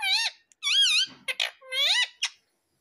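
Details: A pet rose-ringed (ringneck) parakeet talks in three high, squeaky, speech-like phrases with wavering pitch, apparently saying "mummy", each followed by a short clipped note, in a quiet room.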